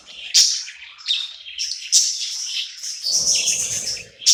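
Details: At night in a new home a happy budgerigar chirps and warbles in high, buzzy phrases with sharp accented notes, while a low murmur joins near the end.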